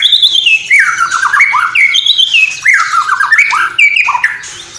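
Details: White-rumped shama of Cililin delivering borrowed sparrow, fighting lovebird and bulbul calls: loud, continuous run of squawky notes sliding downward in repeated descending cascades.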